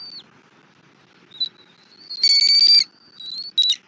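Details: Bald eagle at a nest in Southwest Florida, on the morning of 3 February 2024, as a rabbit is brought and an eaglet is fed. Thin, high whistled notes, then one loud harsh harmonic squeal lasting about half a second.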